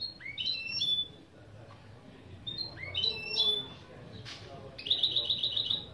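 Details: Mule hybrid of goldfinch and canary singing whistled upslurred notes and descending chips twice, a sharp click, then a fast rattling trill.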